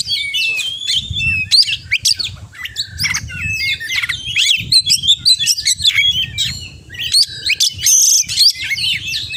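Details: Oriental magpie-robin pouring out a full-isian song of quick staccato whistles, sweeping slurs and scratchy chirps in rapid clusters, with low-pitched music rumbling in the background.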